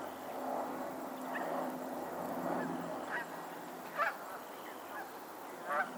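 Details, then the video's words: Geese calling on a Pennsylvania lake: a soft murmur of distant honking, then three sharper, louder honks near the end, spaced about a second apart, over a low steady hum. "the sound of geese on a lake in Pennsylvania"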